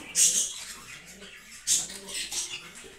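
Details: Green lovebirds in a breeding setup, giving two loud bursts of shrill, high-pitched squeaky chatter with softer scratchy twittering between them.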